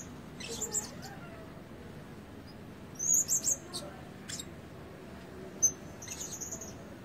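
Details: Blue-crowned hanging parrot used as a lure bird, red-breasted and not yet fully in voice: scattered, very high squeaky notes, with a brief burst of three shrill chirps midway, separated by quiet pauses.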